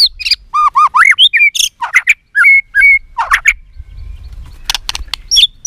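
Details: White-rumped shama fighting song, richly varied: low upslurred whistles, harsh chips, and short clear level whistles follow in an irregular sequence, ending with a few scattered sharp notes over a soft rumble.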